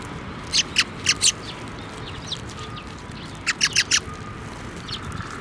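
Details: Sparrows taking food from the hand at a Tenmangu shrine on 23 November 2023, giving two short groups of three or four high, sharp chirps separated by a pause, over a quiet outdoor background.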